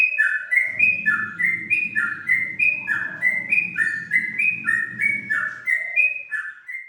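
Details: Energetic whistled song of a sooty-headed bulbul, mellow notes looping up and down in quick repeated phrases, with a soft low murmur underneath during the middle part.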